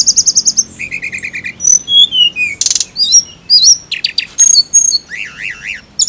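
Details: A flycatcher delivers a rapid high trill, then a lower rattle of repeated notes, clear falling whistles, sharp chips and a wavering warbled series, loud and varied throughout.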